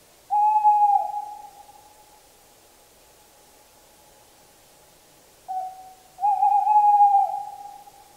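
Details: Tawny owl song, two long steady hoots about five seconds apart, each a sustained low tone with a brief rise, over a quiet background.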